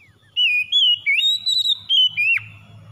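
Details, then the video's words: White-rumped shama song played to stimulate a stressed bird into singing: clear, pure whistled phrases, some wavering and some sliding, delivered in quick bursts with a sharp downward slur near the end. "KACER SETRES MACET BUNYI SEKALI MENDENGAR LANGSUNG GACOR"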